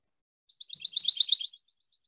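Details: Pine Warbler song from pine-tree canopy in central Alabama: a quick, even, sewing-machine-like trill of about a dozen sweet, high notes on one pitch, lasting just over a second; the species starts singing early in the year.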